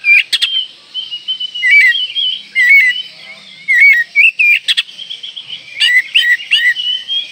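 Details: Oriental magpie-robin in breeding condition singing to provoke rivals: loud whistled downslurs and upslurs in a steady string, broken by sharp click bursts.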